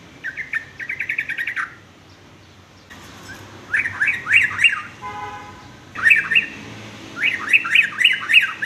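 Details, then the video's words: Sooty-headed bulbul song with an unusual, unique sound, used as a master recording so young males learn varied songs: bursts of quick chattering chirps repeated in several cut segments, with a brief low buzzy tone between them. "kicau trucuk aneh tapi unik"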